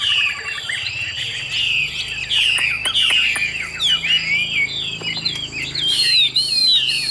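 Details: Captive Chinese hwamei from Vietnam singing a continuous stream of bright, rich whistles, each note bending and sliding, with a few sharp clicks or taps mixed in.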